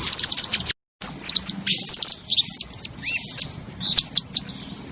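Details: Shrill, very high chirping from a female blue-crowned hanging parrot described as active and vocal: thin steady whistles and clipped tweets in clustered bursts, broken by a short gap of silence early on.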